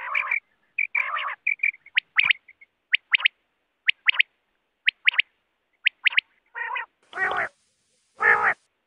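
Quail giving a loose series of short, sharp upward-flicking notes and nasal, buzzy bursts, about one per second, ending in two harsher, raspy calls.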